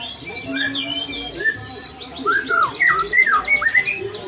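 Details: White-rumped shama giving an unusual song: varied whistled slurs and rising-falling notes around mid pitch, with quick high chirps and trills, phrases repeated rapidly, faint background noise.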